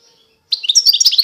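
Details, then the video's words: Brief phrase from a Constantine-type European goldfinch of eastern Algeria: a sudden run of high, sparkling chirps and twitters after half a second of silence. "تغريد الحسون القسنطيني الاصيل (حسون الشرق الجزائري)"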